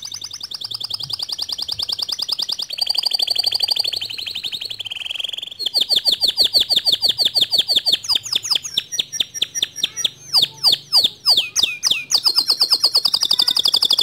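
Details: White male canary singing a long standard-style song: rapid buzzy trills, sweeping whistled notes and quick repeated chips at about three per second, shifting between high rolling phrases and a brief lower warble, indoors.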